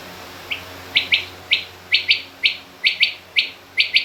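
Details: Female rain quail calling, mixed with king quail calls. A single soft note, then a lively series of buzzy double notes roughly every half second over a steady background hiss.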